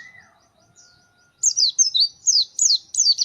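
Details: Pleci (white-eye), described as a gacor fighter bird in full song: after a second of faint thin whistles, a burst of rapid, high, sharply downslurred chirps starts, about six notes in under two seconds.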